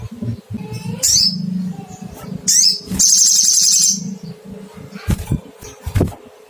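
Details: Sogon, the crimson sunbird, calling in search of a rival: a brief high sharp note, a quick descending chirp, then a sustained buzzy trill of about a second over a steady low hum.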